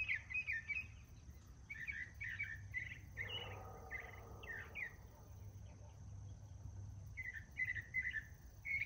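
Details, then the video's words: Male northern mockingbird singing several of his songs in the morning: quick, chirpy phrases, each repeated several times before switching, over a steady high insect-like whine and low background rumble. "Northern Mockingbird Singing Multiple Morning Songs"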